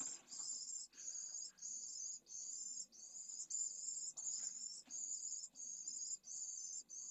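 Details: Pallid swifts at a breeding colony in a school building in Jerez de la Frontera, Spain, during stifling heat above 45ºC, with a chick thrown from a nest. Buzzy, high screams repeat in a steady series roughly every 0.7 seconds.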